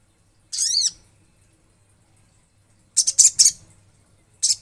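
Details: Olive-backed sunbird singing vigorously in a natural setting: a high, thin arched note with a falling-rising tail, then after a pause a cluster of three sharp, very high chirps and another brief burst at the end.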